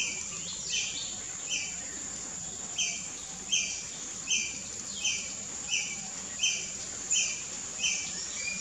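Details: Tickell's blue flycatcher in Perlene Forest, Goa, 2017, singing short, high, sweet notes repeated about every second over a steady, shrill insect drone.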